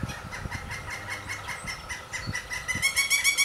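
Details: Three Pileated Woodpecker nestlings call steadily from the nest while parents arrive to feed, giving a rapid series of reedy, pulsed notes that grow louder and harsher toward the end.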